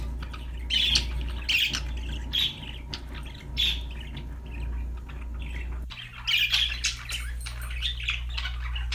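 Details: Parakeet chirping, repeated short bright warbled phrases about once a second, briefly quieter midway then resuming in a louder cluster, over a constant low hum.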